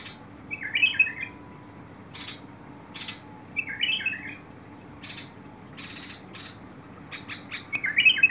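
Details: Bulbul song from 21 August 2022: a liquid warbled phrase of slurred notes given roughly every three seconds, three phrases in all, alternating with short buzzy chip notes over a faint steady hum.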